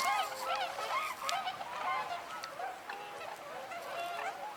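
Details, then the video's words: A flock of tundra swans, including juveniles, calls at about 28 degrees from Wildlife Drive, with many overlapping high, mellow whooping hoots and yelps several times a second. Some take off briefly, with Canada geese, mallards and American black ducks nearby. "tundra swans here vocalizing. This is probably"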